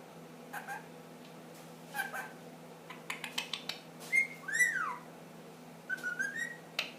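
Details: Pet ring-necked parakeet, 10 months old, doing funny noises: a run of dry clicks and ticks, then a bright whistle swooping down, and a wavering whistled phrase among more clicks, indoors.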